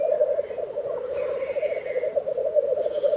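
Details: In Tiveden, Sweden, in April 2023, black grouse at their lek produce a thick, pulsing bubbling chorus, with a soft, drawn-out hiss rising behind it.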